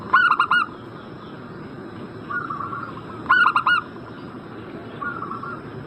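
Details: Lure call of a zebra dove meant to make a breeding-condition bird reply: a quick stuttering cooing phrase of four notes at the start and another midway, fainter similar phrases in the background, constant hiss.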